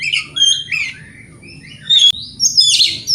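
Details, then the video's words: Morning song of a white-rumped shama meant to goad rivals into replying: bright whistled notes and slurred phrases, a gap, then a loud burst of high whistles and rasping notes. "Pancingan Kacer Gacor Pagi Hari Bikin Lawan AUTO NYAUT!!!"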